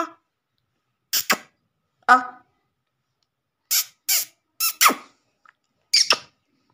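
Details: Black francolin (kala teetar) call, played to lure francolins quickly and put them in an excited mood; harsh, grating broadband notes in short paired bursts, several groups spaced about a second apart, with silent gaps between them.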